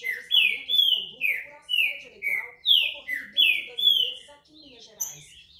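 A green-winged saltator sings loud, rich whistled phrases, each a quick downward slur, repeated rapidly over a faint low background murmur.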